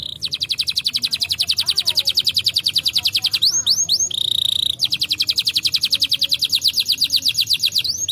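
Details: Brown canary singing, used to stimulate lazy canaries to sing: long rapid trills of buzzy repeated notes, broken midway by a few sweeping whistles and a steady held tone, then trilling resumes.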